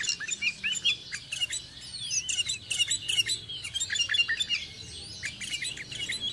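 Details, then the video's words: Sooty-headed bulbul (kutilang, cangkurileung) near a home in Indonesia: dense overlapping chirps and whistles, several birds seemingly calling at once, fairly even level with a busy high chatter throughout. "MASTERAN SUARA BURUNG KUTILANG, CANGKURILEUNG | SOOTY HEADED BULBUL SOUNDS"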